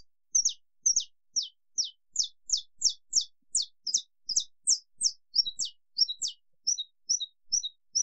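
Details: Saffron finch delivering a long "estalo" song, a sustained run of crisp, high, falling chips at roughly two per second, with some notes doubled and a few shorter clipped tones near the end; no other sounds.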